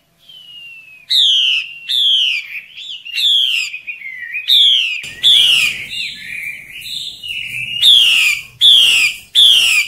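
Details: Wild female hwamei calling in forest during breeding season to lure males; loud, slurred whistled notes sliding downward, repeated in a steady series about every second, some with buzzy overtones, over faint low background rumble.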